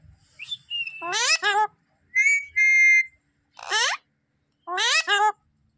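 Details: Pet Alexandrine parakeet, locally called Raw, Pahadi or Desi parrot, gives harsh, rasping speech-like outbursts between steady, flat human-sounding whistles, two short whistles, then a longer one, in a quiet room.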